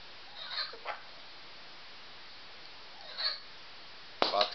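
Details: A pet Triton cockatoo, prompted indoors to perform again, gives three short, harsh, raspy squawks spaced over four seconds, the last one loudest, in a quiet room.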